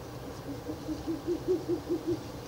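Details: Ural owl near a nest box on 16 April 2024 at night, third night of visits; roughly nine rapid, low hoots that start faintly and become clearer and stronger.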